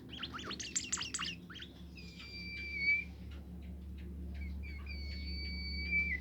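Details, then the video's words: Bimoli bird singing to prompt other bimoli birds to join in. A dense burst of fast chirps gives way to long drawn-out high whistles that rise slightly at the end, with a low background hum. "burung bimoli lain nya akan ikutan gacor"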